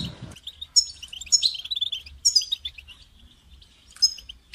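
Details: Goldfinch chant d'appel to stimulate a caged goldfinch to sing: after a brief low rustle, lively twittering bursts of high chirps and trills come in three main clusters.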